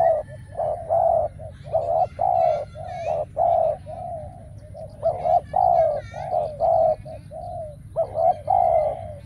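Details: Decoy spotted dove calling while trapping wild doves, now rare; repeated mellow coo phrases of short and long notes, with faint high chirps from other birds in the background.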